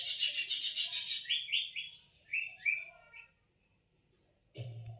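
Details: Cucak ijo song used to stimulate a silent cucak ijo to sing: rapid trilled chatter sliding into falling whistled phrases, fading out, then a brief low noise at the end.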